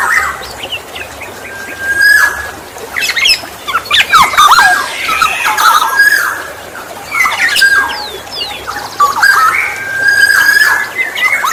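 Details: Black-naped oriole, known locally as kepodang emas, calling actively in a natural-sounding setting, recorded for use as a lure for other orioles: repeated bursts of harsh nasal squawks mixed with slurred whistled notes and short sharp high clicks.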